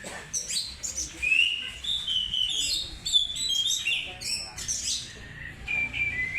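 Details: Oriental magpie-robin singing a lure song of clear drawn-out whistles and fast chirpy fragments, phrases rising and dipping with several short pauses.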